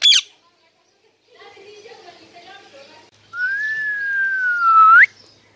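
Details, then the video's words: Parrot voicing a long, steady whistle that slowly falls and then rises sharply at the end, after a brief harsh note and a stretch of quiet muffled background sound. "Funny Parrot Talking"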